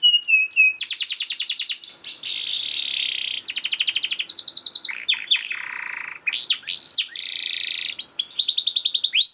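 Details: Canary song played as a master recording to train other canaries and prompt lazy birds to sing: fast, dense phrases of rapid trills, buzzy rolls and sweeping whistled notes, switching tour every second or so, no other sounds.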